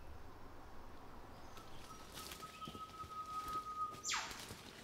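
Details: Victoria's riflebird (Ptiloris victoriae) in rainforest near a stinging tree gives a single loud, harsh downslurred call near the end, after a long steady whistled tone, over low rainforest background noise.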